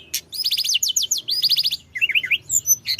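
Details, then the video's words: Brief, fast mountain flowerpecker song in rolling style to provoke rivals, rapid groups of upslurred high chips repeated in quick bursts, then a few zigzag notes, over a soft low hum. "Kicau gacor tledekan gunung ngeroll‼️Ampuh menaikkan emosi lawan"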